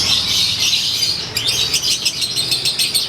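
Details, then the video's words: Konslet lovebird out in the sun, chattering its ngekek: a shrill, rasping burst of rapid squeaky notes that turns into choppy chirps halfway through. "Durasi Volume Gaya Suara ASLI Harian LB"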